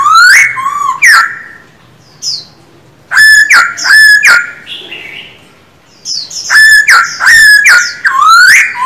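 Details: Male Black-throated Laughingthrush in a cage, sung during daily voice training: rich, ringing whistled phrases, slurring up and down, delivered in three energetic bursts with short pauses between them.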